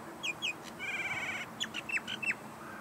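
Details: Chest-puffing Common myna calling on dried wetland in Australia, several birds present: varied harsh notes, a sustained buzzy, layered rasp, then a string of loud, sharp chattering calls.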